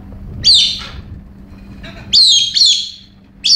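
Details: A pet female Galah goes crazy in unusual behaviour among other birds, giving harsh, rasping screeches, four in quick succession over about three seconds, each a loud grating burst with a faint hum in the background.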